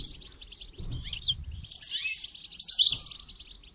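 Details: Goldfinch song for training: after a few thin chirps and a low bump, a loud, busy run of buzzy twitters and trills fills the middle of the passage, then fades to scattered notes.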